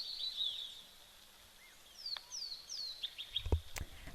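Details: White-faced whistling ducks give high, clear, falling whistles in quick overlapping bursts at a waterhole in late summer (25 February 2025), over a low rumble of wind and rain and a brief thump.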